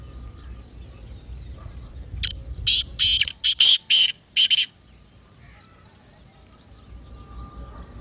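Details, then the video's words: Partridge call played to get a silent pet partridge calling: one rapid series of about seven harsh, rasping bursts over two seconds, then quiet with faint low background hum. "تیتر کی مستی والی آواز"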